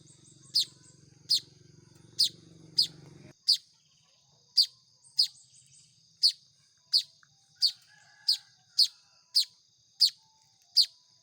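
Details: Baya weaver chicks begging as they are fed by hand: sixteen brief, harsh, high chips repeating through eleven seconds, with a low rumbling noise under the first three seconds.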